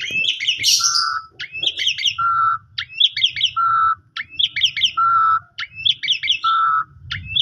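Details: Asian pied starling lure song, played to coax a sulking or stressed starling into singing: a cluster of quick chirpy high notes followed by a flat, lower whistled note, the phrase repeating roughly every second over a faint low hum.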